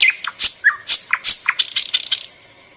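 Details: Rapid harsh chirps and scratchy rattling notes from a bird, tightening into a fast chattering burst before falling quiet.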